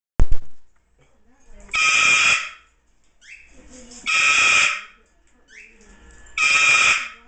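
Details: An umbrella cockatoo gives its 'time to go to bed' scream, which is not as loud as these birds can be: three harsh, raspy screams, each about half a second long, every two seconds or so, with a sharp click at the start.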